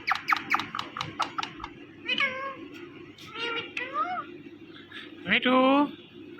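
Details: Indian ringneck parrot mating sounds: a rapid run of sharp clicks opens, followed by several wavering, meow-like nasal calls and a final loud, drawn-out harmonic wail.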